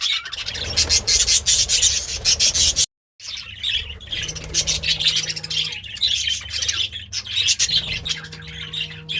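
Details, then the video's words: Pet budgerigar, happy and eating greens, chattering in rapid scratchy chirps and squawky warbles; a sudden brief silence breaks it, and a low steady hum sounds intermittently beneath. "The Sounds of a Happy Budgie - Chirping, Singing, and Eating Greens"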